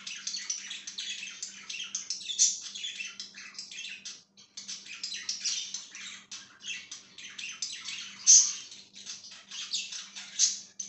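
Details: Pet budgerigar chattering nonstop, a mix of fast high chirps, scratchy warbles and occasional sharp squeaks, with a quiet steady hum behind.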